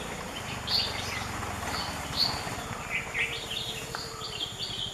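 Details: Grey-headed bulbul in Goa in 2014 gives short, high chirping notes scattered every second or so, over a steady low rumble of background noise.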